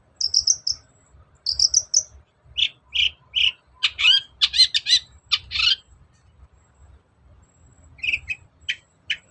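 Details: Long-tailed shrike, a lure recording to make a lazy bird sing and answer: high whistled notes, then harsh buzzy chattering bursts and a few scratchy notes after a pause.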